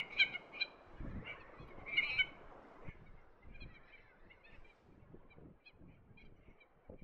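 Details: Red-tailed tropicbirds in courtship flight in a sea breeze over the cliffs of Lord Howe Island: a few loud, harsh, grating calls at the start, then fainter scattered notes amid gusty wind noise.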